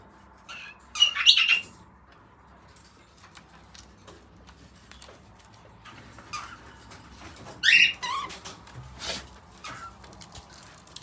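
A young cockatiel gives short, harsh chirping bursts with quiet gaps between them.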